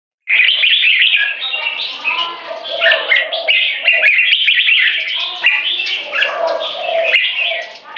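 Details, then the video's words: Two competition Red-whiskered Bulbuls (jambuls), aged 3.5 and 7 years, sing against each other in butir (frequency singing) with gaya display to dominate territory. Dense, overlapping whistled and warbled phrases run continuously, with lower mellow notes underneath. "BATTLE FOR DOMINATION Part 1 - Reference video on how jambuls choose their weapons"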